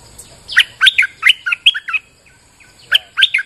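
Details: Bulbul singing in the rain as a lure sound: lively, bubbling phrases of loud chirps in quick succession, a short pause, then another brisk two-note burst.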